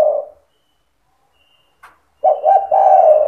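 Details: Spotted dove singing cetretan style to rouse other doves: the tail of one coo, a pause with a faint click, then a full phrase of quick stuttered notes into a long, low, husky coo.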